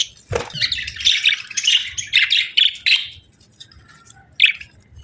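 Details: Cheerful chirping of pet budgerigars: a dense, scratchy warbling stream for about three seconds after a sharp knock, then a pause and one last loud chirp.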